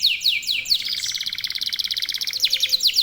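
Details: Local canary singing as a lure: a few quick descending whistles, then a rapid rattling roll, ending with more sharp falling notes.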